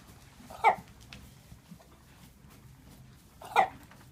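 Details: A 3-year-old free-range buff Brahma hen, normally healthy and in full plumage, gives two harsh, hoarse, mid-pitched squawks about three seconds apart, a strange croupy, bark-like cough that made goats and chickens stop and stare; yard otherwise quiet.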